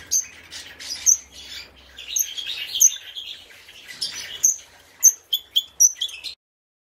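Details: Red-rumped parrots, a caged breeding pair of blue opaline colour mutations at a 2019 bird show, giving thin, piercing chirps in loose bursts, ending in a quick run of four evenly spaced notes, over soft rustling and low hum.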